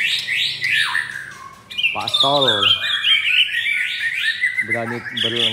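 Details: White-rumped shama, blorok variety, fourth captive generation, caged in Jakarta: rising whistles and harsh chattering song while a person talks in the background.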